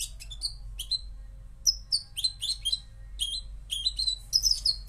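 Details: Moroccan goldfinch giving sparse, separated high chirps and downslurred tweets that gather into quicker twittering phrases toward the end; soft background hum.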